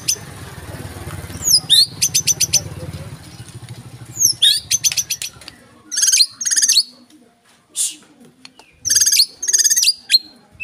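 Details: Real white-rumped shama delivering fierce 'tembakan' bursts for a training recording: sweeping whistled slurs followed by quick rattling series of sharp high notes, repeated in several phrases over a faint low hum early on.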